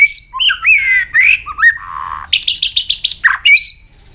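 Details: White-rumped shama singing a training song: varied slurred whistles rising and falling, a low buzzy note, then a rapid rattle of six high notes and a final clear whistle.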